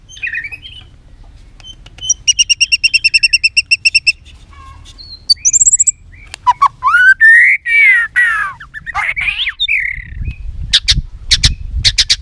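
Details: Female white-rumped shama voice in the chattering 'tạch líu' style, used to fire up males for fighting: rapid buzzy ticking notes in a quick series, then sweeping whistles and sharp rising chirps, with low rumbling background noise.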